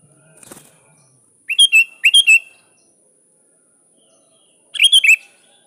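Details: Three quick liquid whistled phrases from a sooty-headed bulbul calling a rival, two close together and one after a pause of about two and a half seconds, preceded by a soft rustle and a steady high hiss.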